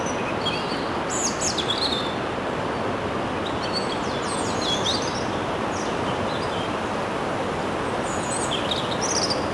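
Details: Common chaffinch in riverside trees of an urban park along the Mañaria river in Durango; short bursts of high, bright chirping trill phrases come at intervals over a steady wash of broadband background noise.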